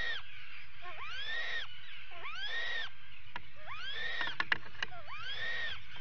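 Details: Atlantic puffins at a burrow during an attack, filmed by a live burrow cam on 19 July 2019: repeated drawn-out arching calls, each rising then falling, in groups with short gaps, with a few sharp clicks and low rumbling in the background.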